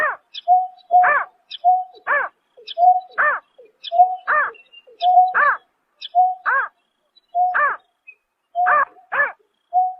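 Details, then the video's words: Greater painted-snipe calls at night in March 2024: about ten hoarse, arched notes come at steady one-second intervals, alternating with level hooting tones and faint high-pitched ticks. "Tiếng Chim Nhát Hoa Đánh Đêm Vụ Tháng 3 Năm 2024"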